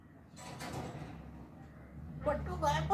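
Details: A grey parrot mimics human speech, talking in Urdu and Hindi, in short bursts of word-like syllables with a hoarse, voice-like tone, over a low indoor hum and faint clatter.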